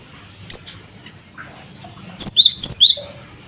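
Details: Cinereous tit, locally gelatik batu, calling as a lure for other birds: one sharp high whistle, then a rapid run of high whistles alternating with lower rising notes.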